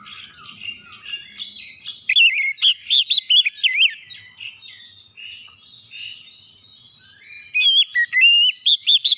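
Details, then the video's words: Oriental magpie-robin singing, played to provoke other magpie-robins into singing: a soft warbling opening, then a run of loud, looping whistles, a quieter stretch, and a final burst of sharp, rising whistled notes. "PANCINGAN KACER CEPAT EMOSI 100% KACER MACET MALAS BUNYI CEPAT GACOR"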